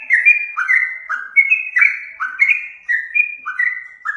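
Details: Yellow-vented bulbul lure sound, with fluty whistled notes alternating high and lower pitches in short descending phrases, steady and clear.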